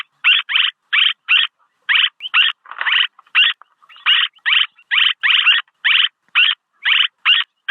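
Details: Swallow calls meant for decoying: a rapid, steady run of short rasping buzzes, about two per second, sometimes doubled, with a brief messier chatter in the middle.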